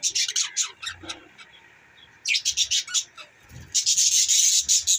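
Budgerigars chirp and chatter in rapid, scratchy bursts of high twittering, pausing briefly before a dense run of warbling resumes.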